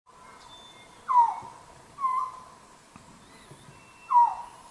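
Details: Resplendent quetzal, a symbol of the cloud forest, calling with mellow whistled notes that swoop downward, spaced about a second apart and separated by a pause, against a soft forest hiss.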